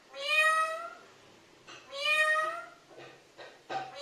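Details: A parrot calls for mother with two loud, even, harmonic calls about two seconds apart, followed by softer clicks and a brief start of another call.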